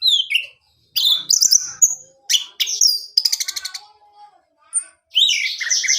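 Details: Captive orange-headed thrush kept as a pet, its song played to prompt a male to sing: clear whistled notes in short bursts, some sliding downward, a rapid buzzy trill, then a final run of high warbled phrases, with brief silent gaps.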